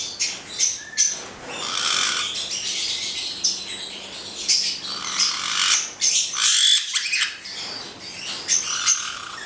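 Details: Two black-headed caiques, a pair, trading harsh squawks and high chirping notes in uneven bursts.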